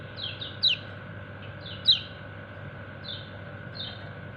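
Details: Kecial kuning white-eye calling companions: sparse high, thin 'ciak' chirps, some paired, one every second or so, over low steady background hum.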